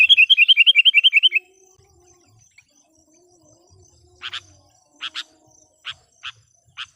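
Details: Active decoy sooty-headed bulbul used to attract wild birds opens with a rapid string of even, bubbly notes, then gives five widely spaced short, sharp chips over quiet background.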